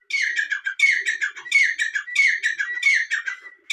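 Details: Rapid series of francolin calls: rough, buzzy, rasping phrases of several grating pulses each, repeated roughly every 0.7 seconds without pause, over a thin continuous tone.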